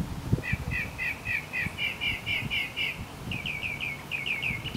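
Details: A Northern mockingbird at Arlington National Cemetery, Virginia, USA, on 30 May 2015 sings quick runs of harsh, clipped notes, about four a second, repeating each phrase several times before switching, over a low background rumble.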